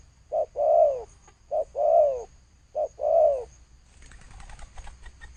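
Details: Spotted dove singing thổ sấm style coos: three phrases, each a brief low note then a drawn-out falling coo, followed by a faint rustling or flapping noise.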